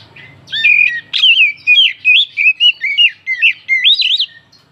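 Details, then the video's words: Oriental magpie-robin song used to provoke other birds into singing and raise their excitement: a continuous run of loud, varied whistled phrases, twisting up and down, delivered in quick bursts with short gaps, over a faint low hum. "Pancingan burung kacer naikan emosi"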